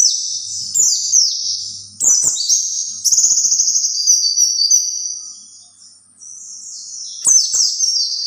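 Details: White-eye song used to lure other white-eyes: rapid high twittering phrases with sharp descending chirps, bursts separated by short pauses, steady and continuous through the middle, with faint low clicks.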